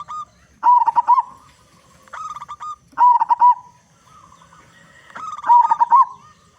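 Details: Loud local zebra dove singing as a lure to make other zebra doves sing. Three stuttering phrases of quick, mid-pitched cooing notes, each trailing into a soft drawn coo, come about two and a half seconds apart.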